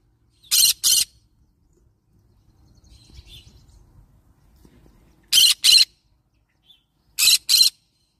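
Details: A yellow-sided green-cheeked conure parrot repeats paired harsh screeches. Three quick double bursts are separated by pauses of several seconds, with faint low murmuring noise in one gap.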